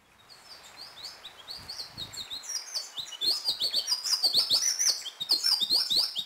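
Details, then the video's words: Hummingbirds in Colombia give high, thin chips and squeaky twitters that quicken into rapid, excited sputtering bursts, with a few soft clicks underneath. "COMUNICÁNDOME CON LOS COLIBRÉS"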